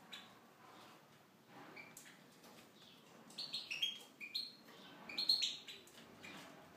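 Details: Tunisian goldfinch in an aviary: a quiet start, then a burst of high, bright twittering notes and short trills from about halfway through.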